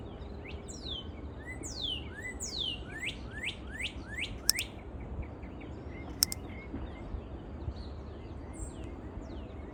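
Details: Bulbul warbling on a spring morning: varied quick downward-swept whistles and chirps in loose bursts, some faint distant notes, with two sharp clicks and steady low background noise.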